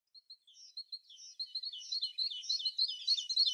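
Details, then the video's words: Tit singing: sparse high chirps at first, building into a dense, quickening twitter of sharp, high notes that grows louder toward the end. "The sound of a tit singing"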